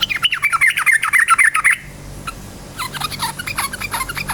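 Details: Yellow-vented bulbul in loud, fast 'ropel' song, played to make other bulbuls sing: a dense warbling string of twisting liquid notes, a brief pause, then another busy stretch of quick chattering notes.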